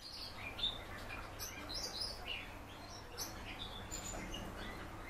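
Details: Captive common house martin kept indoors, coaxed by its keeper to sing: scattered short high chirps and thin twittering notes, some sweeping downward, over a steady low electrical hum.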